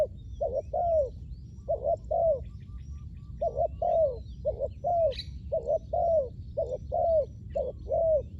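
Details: Decoy spotted dove used for ground luring of wild doves: mellow paired coos, each pair ending in a drawn-out falling note, delivered in steady bursts with a short gap midway. Light chirping from small birds behind.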